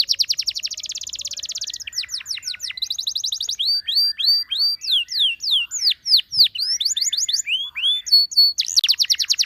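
A canary sings high, fast trills in changing tours: buzzy rolls, then clear repeated whistles swooping up and down, several notes per second, with no other sounds.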